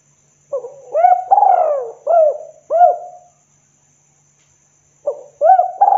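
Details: Spotted dove (tekukur) lure call, used to draw other doves: a short soft opening note, then a long drawn coo with two or three shorter arched coos, the phrase given twice with a pause between.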